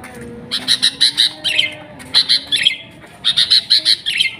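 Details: Sooty-headed bulbul singing: three bursts of bright, chattering notes, each a rapid run of four or five clipped chirps ending in a short slurred twist, separated by brief pauses.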